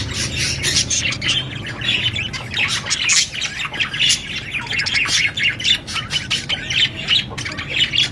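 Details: Budgerigar parrot chatter: rapid overlapping chirps, squeaks and harsh squawks packed tightly together, with brief louder peaks every second or so and a faint low rumble underneath.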